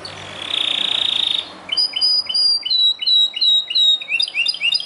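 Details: Belgian canary singing very strongly: a rapid buzzy trill, a brief gap, then evenly spaced sharp rising chirps, roughly three per second, turning into quicker paired notes at the end.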